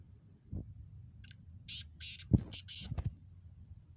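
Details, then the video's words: Black francolin, local name Kala Teetar, nasal Chakri Wala speeder style, giving a series of rough buzzy notes, mixed with several dull knocks and thumps nearby. "Black Franclion Voice Speeder Kala Teetar Gangas Sheedi cross Nasal Chakri Wala Teetar"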